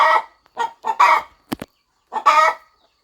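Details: Mother hen fluffed over her nest on a farm, readying to hatch eggs: longer rough clucks mixed with shorter ones, plus a brief sharp click near the middle.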